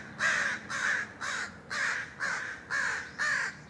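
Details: An American crow (Corvus brachyrhynchos) in Vancouver, Washington, USA, on May 21, 2010, gives seven harsh, hoarse caws in a steady run, about two each second, over a quiet background.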